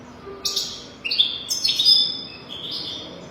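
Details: European goldfinch singing, a recording meant to teach young goldfinches their song: high tinkling twitters and slurred buzzy notes in quick bursts, ending with a sharp chirp.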